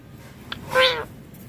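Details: Ringneck parrot giving a single short, harsh harmonic squawk that swells and fades within a quarter second, against quiet room background.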